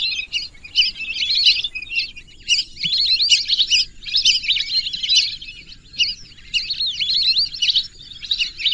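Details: High whistles from a lesser whistling duck flock come in clustered bursts of chattering notes, each bunch about a second long, with brief dips between them and a faint low background hum.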